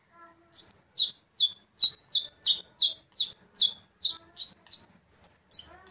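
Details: Lively long-tailed shrike singing to rile up a rival shrike, repeating one rasping, buzzy note about two and a half times per second in a steady, insistent series.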